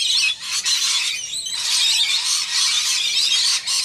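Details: Wild rainbow lorikeets bathing in Australia screech and chatter almost without pause: harsh, high, overlapping shrieks from several birds, with one brief lull partway through.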